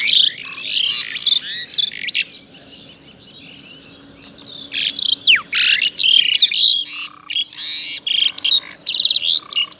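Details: A pied myna in the morning at Saifai, Uttar Pradesh, gives a busy, varied song of harsh chatters, squeaks and bright whistles in rapid bursts, with a low steady hum underneath.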